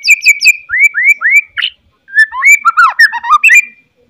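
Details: White-rumped shama singing loudly in the morning, a song meant to provoke fighting spirit in shamas; a run of quick repeated notes, then three upslurred whistles, a buzzy note, and a pause before a jumbled twittering phrase.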